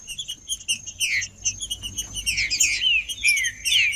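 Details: Green-winged saltator male, trinca-ferro, in macheando song meant to warm up birds: busy runs of sharp chirps and falling whistled slurs, about two per second, with a constant thin high tone behind.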